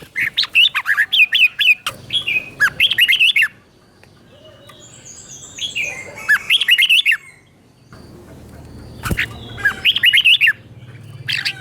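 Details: Red-whiskered bulbul singing doubled phrases as teacher audio to stimulate captive birds: repeated bursts of rapid, sweet slurred whistles, a faint high chirping in a quiet gap, a knock, then more phrases.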